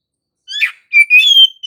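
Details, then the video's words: Oriental magpie-robin song used as a lure for other magpie-robins, gacor ngerol style: a buzzy chirp followed by a sustained, slightly rising pure whistle. "Kacer manapun dijamin AUTO NARUNG dengan PANCINGAN suara kacer GACOR NGEROL satu ini"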